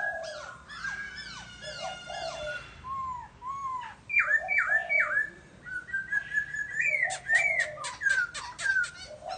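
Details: Lively laughingthrush song of repeated downward-swooping chirps in fast series, then louder rising-and-falling phrases and sharp clicks, notes coming roughly twice per second.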